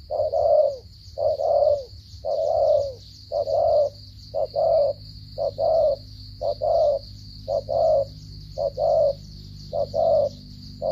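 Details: Spotted dove from Cà Mau, Vietnam, in a stuttering coo style: low hollow coos in short broken groups, roughly one group per second, some notes doubled. A steady high whine runs throughout, with a low rumble beneath.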